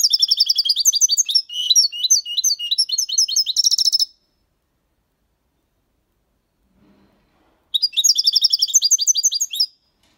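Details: European goldfinch aged six months delivering a clean Malaga-style copy song: dense bursts of bright, liquid twitters and trills for about four seconds, a long pause, then another rapid chattering phrase.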